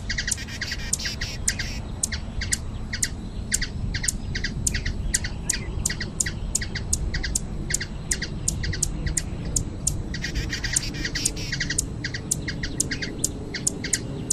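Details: Steady series of evenly paced high chirps, about two per second, from a hummingbird in Brazil, with brief rustling bursts and a constant low rumble.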